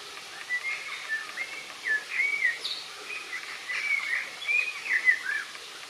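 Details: Common blackbird singing in a tree in Pittencrieff Park, Dunfermline, Scotland: soft, fluty warbled phrases that rise and fall, coming in irregular bursts over a steady background hiss.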